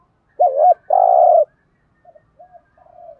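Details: 'Thúc gù' urging coo from a spotted dove, used to stimulate captive decoy birds: a looping two-part note, then a sustained trembling coo, followed by three soft, brief, low notes.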